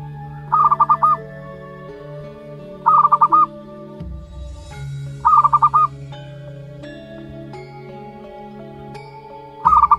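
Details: One-month-old zebra dove chick of local wild stock: four short bursts of five or six quick, clipped mid-pitched notes, each about half a second long, spaced a few seconds apart over steady background music.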